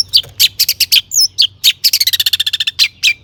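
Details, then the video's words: Long-tailed shrike song full of copied phrases, played to get other shrikes singing: loud scratchy chips, a slurred whistle, then a rapid trill-like run of even notes, closing with harsher calls. "burung cendet gacor ISIAN AMPUH untuk PANCINGAN CENDET AGAR BUNYI bikin BURUNG PENTET GACOR SEKETIKA"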